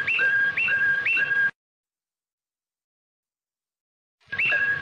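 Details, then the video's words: Whistled bird song for tutoring young birds: three quick up-and-down two-note phrases in a burst, a silent gap of nearly three seconds, then the same phrase starting again. "تغريد طائر فلاوطا صالح لتلقين"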